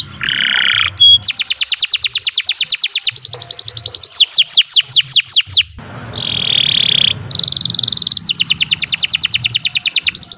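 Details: Master-recording canary song for caged birds: harsh raspy notes, then long rolling trills of rapidly repeated high sweeps, a break of rasping, and another fast trill.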